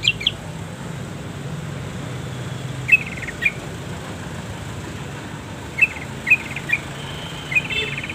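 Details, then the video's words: Long-tailed shrike song recorded as masteran training material for caged birds, in a style full of pauses: short, sharp high chirps in brief clusters, separated by gaps of one to three seconds, over a steady low rumble like traffic. "masteran // pancingan // setingan burung cendet penuh jeda"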